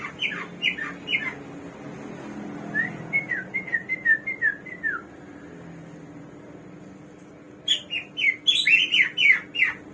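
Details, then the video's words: Hwamei, called samyong or garuwa and described as a bird of 1001 voices, singing: loud varied whistled notes, then a run of slurred descending whistles, ending in a fast, rich burst of mixed whistled phrases. "KICAU BURUNG SAMYONG //GARUWA 1001 SUARA"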